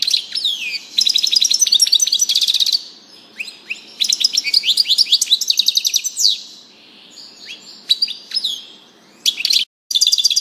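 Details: European goldfinch in lively, continuous song: long runs of rapid, tinkling high notes with slurred whistles, broken by brief pauses, then resuming in quick chattering bursts.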